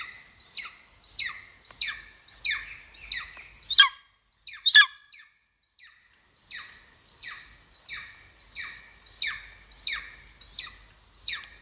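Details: Golden eagle at its nest in Estonia, 2022, heard through a live camera: a long, even series of high, falling yelps about twice a second, broken by two loud, strident screeches and a brief pause.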